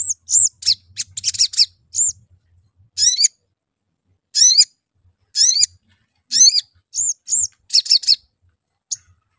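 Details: Sooty-headed bulbul lure calls meant to provoke singing: harsh, buzzy, rising notes with layered overtones, mixed with high arched whistles and quick clustered chirps, in irregular bursts with short silent gaps.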